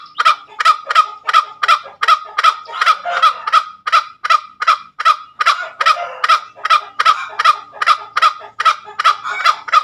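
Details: Tame junglefowl giving its ngekek call: a long run of harsh, nasal cackling notes, about two and a half per second, steady and loud throughout with no other clear sounds.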